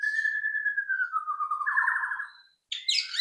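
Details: White-rumped shama singing as a lure to make others sing: a clear, long whistled note gliding slowly downward into a rapid rattling trill, then, after a short gap, a burst of bright high chirps.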